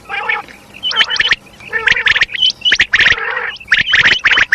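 Common quail female giving quick clusters of harsh, rasping chirps mixed with lower nasal, gargling notes, repeated in bursts about every second.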